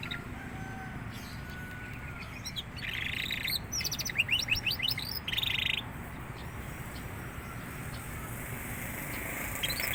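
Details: A young canary beginning to sing in earnest. After a quiet start it gives a short burst of buzzy trills and quick, sharp repeated notes, then falls silent again over a low background hum.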